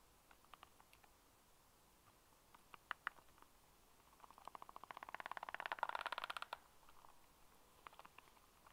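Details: Black stork at the nest on 26 July around 9:40, as the male arrives bringing fish to feed the chicks: scattered dry clicks, then a fast rattling burst of pulses about two seconds long, then a few more clicks.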